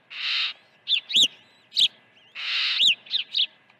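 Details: Osprey calling at its nest during an early morning feeding on 1 June 2019; two rasping, drawn-out screeches, each followed by a few quick, piercing, arched whistles.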